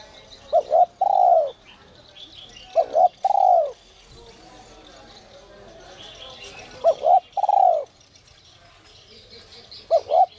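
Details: Spotted dove, giọng còi style used to provoke wild doves: mid-pitched phrases of two brief notes and a longer falling coo, repeated about every two seconds; the fourth phrase is cut short. High twittering from other birds and faint voices in the background.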